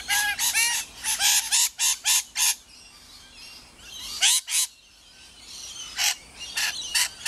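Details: Rainbow lorikeets at Riverglade Reserve, NSW, giving harsh, shrill screeches in quick bursts of several notes, with a pause before more scratchy screeches; a faint background hiss runs between calls.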